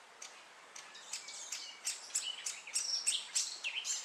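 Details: Great spotted woodpecker chick, possibly the last one unwilling to leave the nest, begging while both parents feed it: fast, high, harsh chattering chirps, several per second, rising to a busy insistent clamour.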